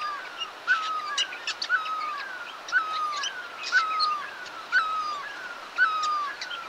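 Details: Chestnut-bellied nuthatches in India, at the old HMT factory on the Sattal bypass road, 5 November 2022, phone on spotting scope: a slurred, downward whistled note repeated about once a second, with sharp high chips scattered between.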